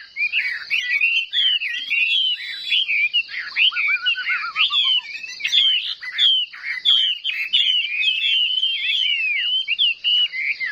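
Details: Chinese hwamei in competitive singing, a caged bird, pouring out a fast, varied run of loud whistled phrases with rising and falling slurs, nearly continuous, plus a brief lower descending series of notes midway.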